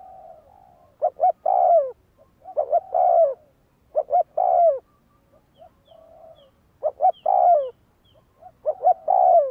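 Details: Spotted dove, a bird trained as a decoy, repeating its coo phrase about every two seconds: quick double notes then a longer falling coo, with faint soft hooting between phrases.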